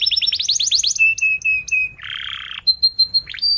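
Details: Canary song used as a tutor for young canaries learning to sing: fast rising chirps, then a series of flat piping notes, a buzzy harsh burst, and clipped high chirps, all bright and shrill.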